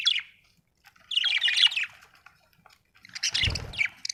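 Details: Budgerigar chatter: a dense warbling run of squeaky chirps, then a pause and a second noisy burst with a low thud beneath it.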